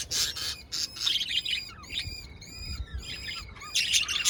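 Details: Lively budgie chatter: buzzy harsh squawks mixed with short whistled notes repeated in quick succession, loud bursts at the start and end, softer warbling in between.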